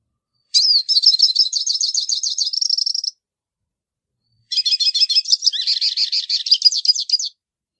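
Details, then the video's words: Hooded siskin giving two long phrases of rapid, high twittering trills, each about two and a half seconds, the first ending in a steadier buzzy note, in an otherwise silent setting. "canto do pintassilgo baianinho"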